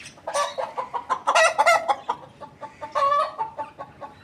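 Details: Chicken rooster calling in the morning: a run of short, harsh, nasal clucking notes with a couple of longer drawn-out harmonic notes near the middle and end, over a quiet background.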